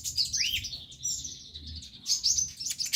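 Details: Sunbird singing a lively, energetic song used to prompt other birds to sing: high, thin chirps and twittering trills with one quick rising note near the start, over a faint low hum.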